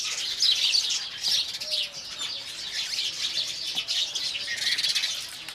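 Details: Morning chorus of Indian house sparrows: a steady wash of many high, sharp chirps layered over one another with no clear gaps, plus a brief faint low whistled note early on.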